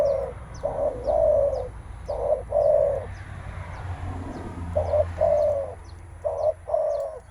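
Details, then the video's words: Spotted dove giving the menguku call when facing a rival, usually a male ready to contest strength: clusters of low hoarse coos with a quiet gap midway, faint rumble, high ticking birds in the background. "Suara menguku terkukur"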